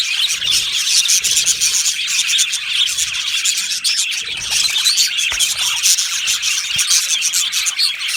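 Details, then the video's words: Many budgies chatter in an aviary colony: dense high twitters and chirps, with a couple of faint clicks or knocks in the background. "Budgie parrot chirping sounds"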